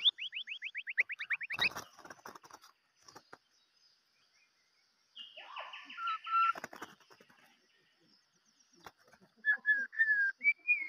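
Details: Decoy white-rumped shama opening with a quick descending series of whistled notes, then a pause, a fast rattling trill, and closing clear whistles, with soft clicks in between.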